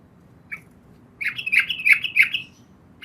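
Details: Female yellow-vented bulbul calling the male at night, a brief cluster of rolling, bubbly notes over steady low background hiss.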